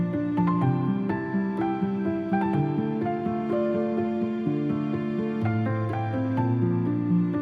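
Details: Soft plucked-guitar music with gentle melodic phrases and sustained low notes fills the recording, with no animal calls heard.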